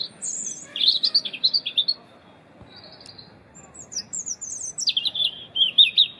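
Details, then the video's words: European robin singing its winter song, loud and melodious: two high, thin, wistful phrases of trills and sliding whistles separated by a short pause; in winter both sexes sing. "A Robin singing its winter song"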